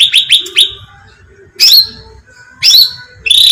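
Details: Bulbul, known locally as cucak ranting, in a recording used as bait to attract birds: three quick sharp chirps with short downward slurs, then a pause, then two louder harsh chattering bursts.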